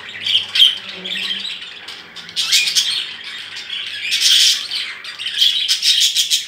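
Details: New budgerigars in a bigger cage chatter in bursts of high, scratchy warbles and squawks that rise and fall.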